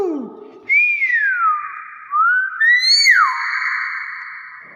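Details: Nias hill myna in its natural voice giving a series of clear whistles: a falling glide, a short rising slur, then a sharp upward-and-down note ending in a long ringing tone, indoors.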